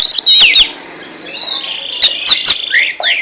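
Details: Oriental magpie-robin singing, offered to prepare other birds for national contests: high, varied whistled phrases with sharp clicking notes, a sustained warbling passage, and a bright upward flourish at the close.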